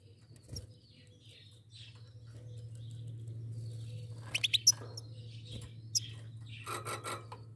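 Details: A pair of goldfinches. A steady low hum runs under a quiet opening. Short, bright, high chirps burst out midway, then a denser twittering run of quick notes closes the recording.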